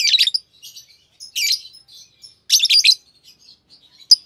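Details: Green Fischer's lovebird pair trading loud, scratchy chirp clusters about once a second, with soft twittering notes in the gaps and a final sharp squeak.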